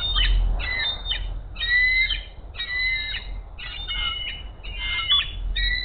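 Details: Hays nest bald eagle female begging for food as her mate flies in with a caught rat: steady series of high, squealing notes about one per second with bending tones, strong low rumble beneath.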